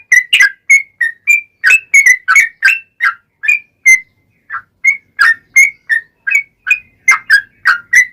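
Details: Vigorous yellow-vented bulbul song delivered as a long rapid series to prompt other bulbuls to reply. Chirpy, slightly slurred whistled notes come roughly three a second, with one brief pause midway. The background is clean.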